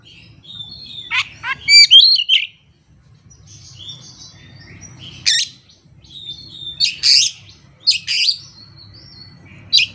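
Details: Oriental magpie-robin singing its repertoire of learned fill-in phrases with no tutor and no opponent; a cluster of sharp twittering notes, a pause of faint whistles, then harsh scratchy bursts spaced about a second apart.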